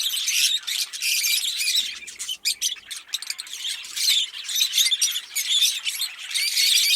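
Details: Fischer's lovebirds, a green pair, chirping and singing in a steady stream of scratchy, high-pitched twitters and squeaks, with a brief dip in loudness near the middle before the busy chatter returns.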